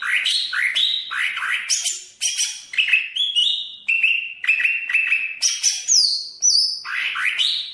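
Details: Banyuwangi greater green leafbird in full varied song, a rapid run of upslurred whistles and chattering notes with high falling whistles near the end, delivered almost continuously, nearly two notes a second.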